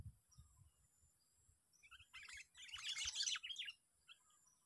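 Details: Sooty-headed bulbul, a trapped bird in its sixth day of sparring, in a park: loud, dense chattering phrase of jumbled chirps for about two seconds, with soft low thuds before it.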